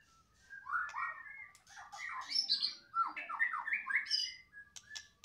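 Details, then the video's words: Caged white-rumped shama of the Medan type, described as in full loud song. Varied warbled phrases, mostly chattering and slurred notes in rapid succession, some squeaky high notes, with faint low room noise. "mb medan gacoran volume kencang"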